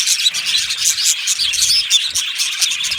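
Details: Colony of Australian budgies chirping in an aviary: dense high-pitched twittering from several birds, short bright notes and warbles overlapping without a break.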